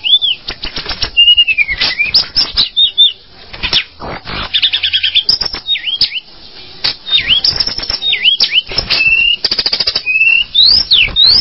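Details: Tledekan gunung bird calling: bright whistled notes swinging up and down in pitch, some V-shaped slurs, interspersed with steady rapid clicking ticks and brief quieter gaps.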